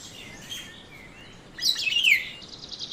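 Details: Black-naped oriole, a yellow bird, recorded on a phone or camera, uttering a single harsh, downslurred nasal call midway, with faint high hiss and soft background chirps.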